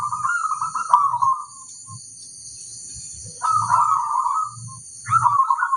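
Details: Zebra dove of local stock in song, giving three rippling cooed phrases separated by gaps, each with a soft low throb beneath. A constant high-pitched hum runs throughout.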